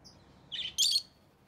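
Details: A rosy-faced lovebird, kept as a pet, in orange-faced green or red-headed green colouring, lets out two quick piercing chirps, the second louder and harsher, then falls silent.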